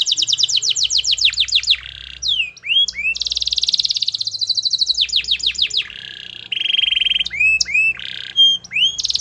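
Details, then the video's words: Vigorously singing canary, meant to prompt a reluctant bird to respond: rolling falling trills alternate with buzzy stretches, long sustained rattles and looping upswept whistles, changing phrase every second or two. "Suara Kenari Gacor Yang Malas Awas Nyaut || Pancingan Kenari Malas Bunyi"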